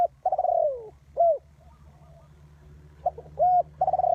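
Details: Spotted dove used as a lure bird for trapping. Deep, soft cooing phrases mix long downward-sliding coos with short arched notes. A pause separates the repeated phrase, and a constant low hum runs underneath.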